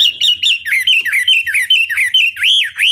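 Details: Chinese hwamei lure song used to make other hwamei answer and sing: rich, slurred whistled notes repeated about five times a second, ending in two long, looping upswept whistles.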